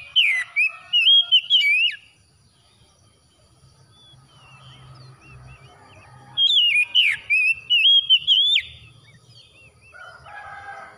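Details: Oriental magpie-robin (kacer) song used as morning therapy for stressed birds: two bursts of bright wavering whistles about five seconds apart, with quiet chatter and low background noise between.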